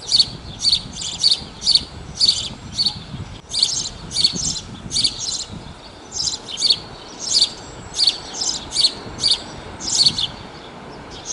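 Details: A house sparrow at Praia de Pipa, Tibau do Sul, Rio Grande do Norte, Brazil, gives a long series of bright, simple chirps, about two each second, in a steady rhythm with quiet gaps between.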